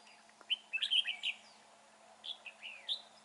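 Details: Red-whiskered bulbul in a fighting trap on an overcast day with north wind, giving a loud, strong twisting song of quick slurred, rising and falling whistled notes in two bursts.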